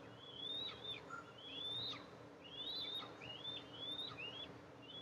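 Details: At a nest on a pine 20 m up in an oil and gas-producing area, the mother Eastern imperial eagle arrives to feed her two eaglets, 14 July 2024. Thin, high whistled notes rise then slur down about once a second over a soft hum.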